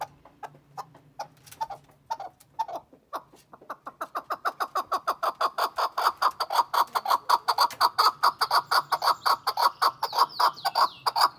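A chukar gives a run of harsh clucking chuck notes that speed up and grow louder into a rapid rhythmic series, nearly two a second. A faint low hum sits underneath at the start.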